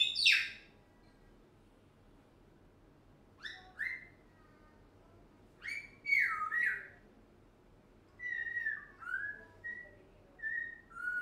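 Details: A one-year-old African grey parrot vocalizing nonstop. A loud opening squawk is followed by bursts of clipped whistles and falling whistled notes every second or two, with a steady low hum underneath.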